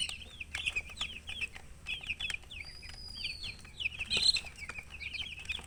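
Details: Chicks cheeping in rapid, rolling runs of short high notes, with a brief pause near the middle and a sharper, louder chirp just past four seconds.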